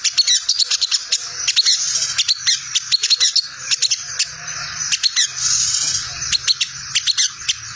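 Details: A sogon gives rapid, high, sharp chattering "ngriwik" notes in quick bursts, several per second, over a steady high hiss; the recording is used as a lure to make other sogon answer.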